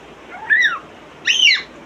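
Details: Pet African grey parrot imitating sounds: two clear whistled notes, each arching up and then sliding down, the second higher and richer, spaced about a second apart indoors.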